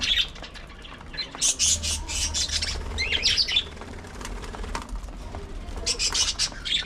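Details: Budgerigars kept as pets give bursts of scratchy, buzzy chirps in quick clusters, with soft wing flutter and a low background rumble between the bursts.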